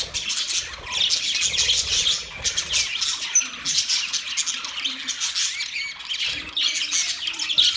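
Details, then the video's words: Caged budgerigars in a newly set-up cage chatter continuously, a dense overlapping stream of high chirps, warbles and squeaky twitters with brief lulls. "Budgies chirping sounds"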